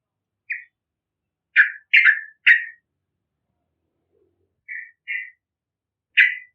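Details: Bakalan Yellow-vented bulbul singing gacor for luring other birds: scattered loud, slurred chortling notes, several in quick succession, then softer paired whistles and a last emphatic note, with gaps of silence between.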